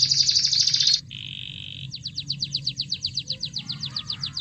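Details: Canary singing to provoke other canaries: a loud rattling high trill, a steady one-second whistled tone, then a run of evenly spaced sharp downward chips about four per second, over low hum.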